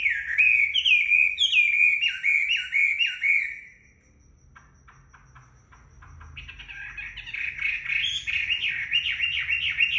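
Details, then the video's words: Chinese hwamei singing just after a bath while drying in the sun: loud slurred whistled phrases repeated in quick succession, a short pause, then a fast buzzy trilled run of notes. "Họa mi hót khi vừa tắm xong được phơi nắng"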